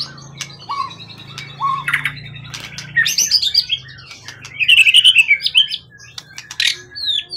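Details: Wild-origin competition bird, tail over 20 cm, calm and long cared for, singing: a few spaced low whistled notes, then bursts of high chattering and rapid warbled trills with sharp clicks and brief pauses, over faint low hum.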